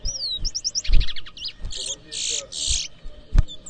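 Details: At a Berbice, Guyana whistling competition in 2023, a towa towa sings a whistled slide and rapid chipping trill, then a run of loud buzzy rasps, with thuds and faint voices around.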